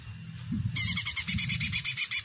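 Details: Cucak ranting singing lively, high bright notes in a fast, steady train of about a dozen pulses after a short quiet start, with faint low rumble underneath.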